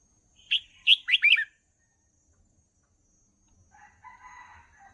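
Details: Red-whiskered bulbul song, for training young birds. One brisk phrase of four or five bright chirping notes, then a faint low buzzy murmur in the background.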